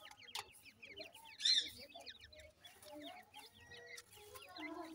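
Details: Francolin chicks at feeding time, a group chirping together: many short, high, downward-sliding peeps overlap in a busy chatter, with a brief louder burst near the middle and soft background hum.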